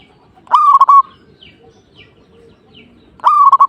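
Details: Perkutut (zebra dove) singing to provoke a rival. Two loud, stuttering coo phrases about three seconds apart, made of quick pulsed notes, with faint chirps from other birds between them.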